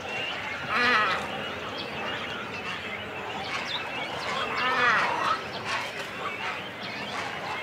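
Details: Chicks and adult cormorants calling on the nest in a busy colony: two nasal, wavering calls about four seconds apart rise above a constant hum of distant chattering colony birds.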